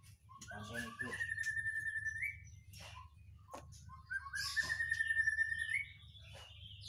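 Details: Whistling thrush in an agitated mood, giving two long, even whistles, each ending in an abrupt upward flick, separated by clicks and a short pause, over a low hum.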